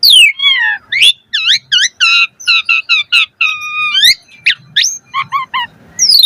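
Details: ["Asian pied starling (jalak suren) singing full-variation 'mompa' song: a steady run of bright, ringing whistled notes, several repeated in quick identical pairs and triplets, with sharp upswept squeaks between."]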